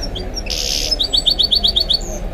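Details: Goldfinch mule (goldfinch × canary hybrid) gives a brief buzzy rasp followed by a quick even trill of about ten bright, identical chipping notes, then a thin high note, with faint speech in the background.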